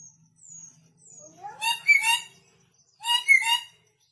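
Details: Red lory, newly come from North Maluku and still aggressive. Faint thin whistles lead into two harsh screeching bouts, each with a doubled, rasping pulse.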